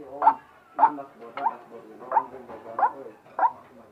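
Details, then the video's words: White-breasted waterhen uttering strange, short, nasal croaks, six notes spaced a little over half a second apart, with quiet noise between. "Ruak ruak bersuara aneh"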